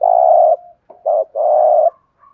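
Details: Spotted dove giving 'thúc gù' coos meant to excite other doves into calling: a long, steady, mellow coo, a short note, then another drawn-out coo with a faint higher tail at the end.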